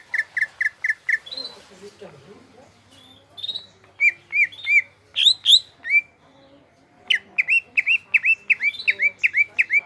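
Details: Greater green leafbird (cucak ijo) singing at length: quick chipping notes, a scratchy interlude, then bursts of clear downslurred whistles repeated in rapid, uneven series.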